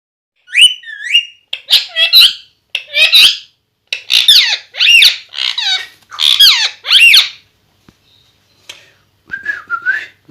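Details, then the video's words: Pet talking parrot, one of a pair kept indoors; rapid run of high, squeaky, warbling syllables in quick bursts, a short pause, then a few more thin chattering notes. "Talking parrot"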